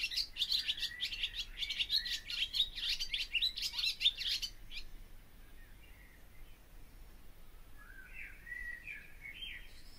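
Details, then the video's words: Barn swallow song: a four-second stream of rapid, buzzy twitter and clicks, then quiet with a few soft warbled notes. "O canto da ANDORINHA-DAS-CHAMINÉS/BARN SWALLOW SONG (Hirundo rustica)"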